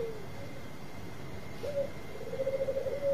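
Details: Bangkok-type zebra dove singing, faint: a low cooing note, then a rising coo leading into a rapid quavering trill and a long steady held note, over steady background hiss.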